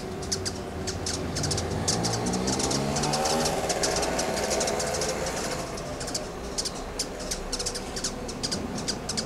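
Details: Rufous-tailed hummingbird (Amazilia tzacatl) in Costa Rica calling: high, dry chips in uneven bursts, about two a second, over a steady low engine-like rumble.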